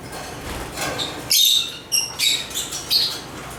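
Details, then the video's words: African lovebird chirps: after a soft start, a sudden loud squeaky burst, then three or four shorter sharp, grating chirps spaced about half a second apart. "African Love birds Agapornis chirps singing sounds"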